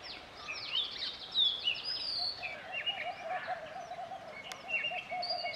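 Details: Male Oriental magpie-robin singing in Central India near Satpura: varied clear whistles and sliding notes at high pitch, over a noisy background with a steady mid-pitched droning chorus of other birds or insects.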